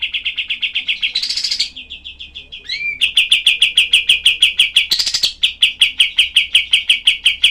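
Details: Cream-vented bulbul, used as tutor material for other songbirds, with rough, tightly spaced, sharp bursts: a long, rapid machine-gun series of clipped high notes, briefly interrupted by a buzzy rasp and a short whistle, then resuming steadily.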